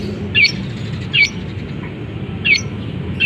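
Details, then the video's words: Caged long-tailed shrike, cover just lifted, whose song mimics canary and sparrows: four harsh, squeaky downslurred notes spaced about a second apart, with quiet gaps between. Low indoor-like hum throughout. "Cendet Gacor Isian Kenari, gereja tarung, kapas tembak"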